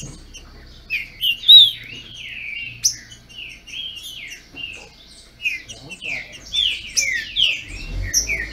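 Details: Green-winged saltators from a licensed Brazilian breeder dispute in song. Quick whistled slurs and sharp high notes repeat throughout, with faint low background noise near the end.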